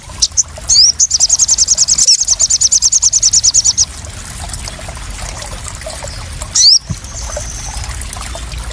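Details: Crested jay lure call for settling recently caught captive crested jays: a rapid, steady rattle of high clicking notes lasting about three seconds, then near quiet broken by one sharp rising squeak.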